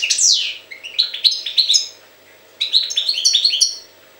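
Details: Loud, close European goldfinch from Jagodina giving two rapid phrases of sweet, ringing chirps and descending twitters, with a brief pause between them.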